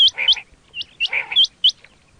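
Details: Batair quail sound used in hunting: two short rasping buzzes flanked by crisp, rising whistled notes, then single sharp whistles.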